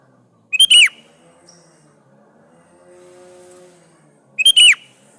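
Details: Singing sooty-headed bulbul (kutilang), a lure song meant to draw answers from other bulbuls: two separated bright whistled phrases, each a sharp note sliding down, with a faint low hum in the gap between them.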